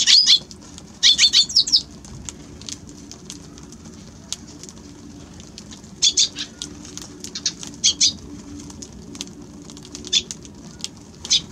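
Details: Eurasian tree sparrow with bursts of sharp, high chirps clustered at the start, around six and eight seconds and near ten seconds, single chirps between them, and a faint low hum beneath.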